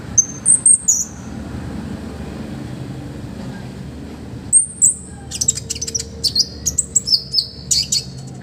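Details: Olive-backed sunbird song from a master recording meant for training other songbirds: high thin whistled notes near the start, then after a gap a run of sharp high chips and short trills, over a low steady hum.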